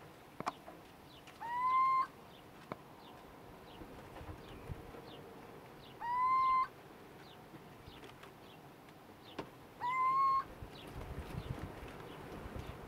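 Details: Little owl (Athene noctua) at night, 20 February 2018, Viñas de Trebujena, Spain: three mewing, upslurred hoots, each under a second and about four seconds apart, over quiet background with faint clicks.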